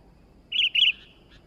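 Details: Two short, bright, gurgling phrases from an actively singing sooty-headed bulbul, each under a quarter second, with quiet background noise.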